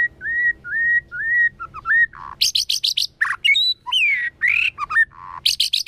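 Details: White-rumped shama singing its forest-voice song in the kéo thuốc lào style, used to provoke wild birds: clear whistled notes rising and falling, then bursts of rapid buzzy high trills and swooping slurred phrases.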